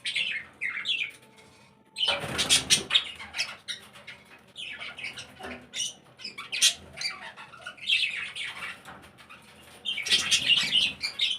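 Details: Budgerigars in a breeding setup shared with cockatiels, lovebirds and finches: bursts of high, scratchy chirps and squawks in clusters, with a quieter gap mid-way before dense chattering resumes.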